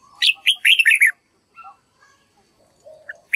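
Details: Red-whiskered bulbul practising song for young white-cheeked birds to learn: a rapid string of bright, slurred, up-and-down warbled notes over about a second, followed by soft scattered chirps.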